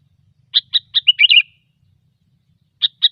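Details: Sooty-headed bulbul in gecor style, a lure recording for bird trapping: a few sharp, evenly spaced chirps, then a quick bubbly warbled phrase, silence, and two more sharp chirps; clean, quiet background.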